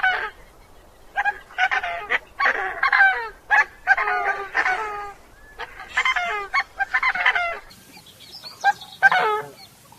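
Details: Coscoroba Swan, whose name comes from its slightly gruff honking call: harsh, nasal honks in quick overlapping bursts, several notes run together, with short gaps between series and a faint hiss near the end.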